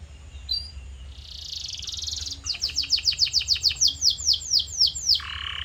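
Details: Canary song as training audio: a soft high whistle, a sustained high buzzy roll, a series of loud sweeping slurred notes repeated about twice per second, then a lower buzzy note.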